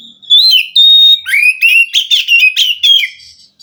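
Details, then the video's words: Wild white-rumped shama from the forest responding to a reluctant captive bird: two long clear whistles followed by a rapid series of loud, rich, slurred notes, roughly four a second. "Suara Kacer asli hutan mampu merespon Kacer yang malas bunyi"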